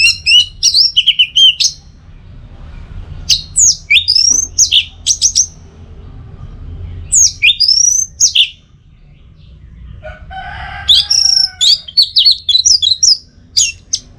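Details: Orange-headed thrush singing a tutor recording for the teler style. Long bouts of rapid, varied whistles and chirps are separated by short pauses, and a few lower notes mix into the final bout.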